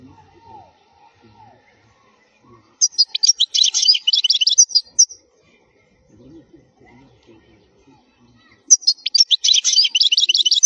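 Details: Goldfinch song for tutoring young birds: two bursts of fast, high, jangling twitters about two seconds each, separated by a long pause with faint low rustling.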